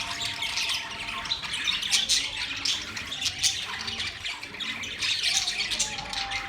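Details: Several budgies chatter steadily, with harsh short squawks and warbled high twitters blending into a constant flock murmur.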